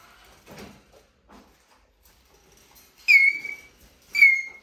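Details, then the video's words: Eurasian jay, a mimic kept by a person, squeals plaintively: two loud, high, slightly falling whistles about a second apart, with faint handling sounds before them. "РАСПИЩАЛАСЬ СОЕЧКА"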